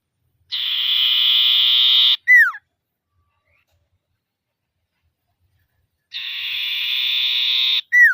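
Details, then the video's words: Common iora calling out rivals, played as a lure for other ioras: two identical phrases about six seconds apart, each a long buzzy held note ending in a quick downward-sliding whistle. "Suara Burung Sirtu/Cipoh Gacor Manggil Lawan"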